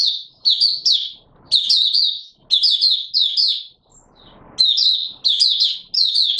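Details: Oriental white-eye delivering 'buka sing' opening song, 24 March 2022: repeated high, rapid, sweet twittering phrases of about a second each, separated by short gaps with faint shuffling.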